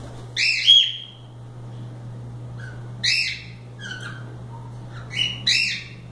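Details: Cockatiels kept as pets, free and playing, give separate loud harsh calls with a whistled edge, spaced a second or two apart, over a steady low electrical hum.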